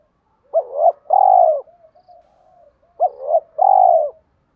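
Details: Spotted dove cooing to draw wild doves in: two loud phrases, each a short rising double note then a long, full, slightly falling coo, about two and a half seconds apart, with soft low coos between.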